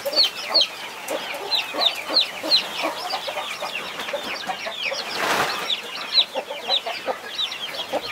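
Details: Chickens, a mother hen protecting 21 chicks: a dense stream of high, falling peeps from the brood, a brief burst of rustling or flapping midway, then more chirping.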